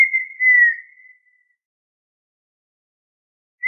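A partridge gives a clear, pure whistle held for over a second and sliding slightly downward. After a silent pause, a second rising whistle begins.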